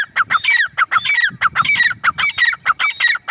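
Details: Female grey francolin calling: loud, harsh, rhythmic notes repeated rapidly, about one and a half per second, each a ringing squeaky phrase dropping in pitch, with a faint low rumble beneath.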